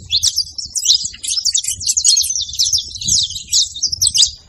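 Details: High, busy twittering from a saffron finch, with quick slurred chirps and trills run together almost without pause, and faint low background noise underneath.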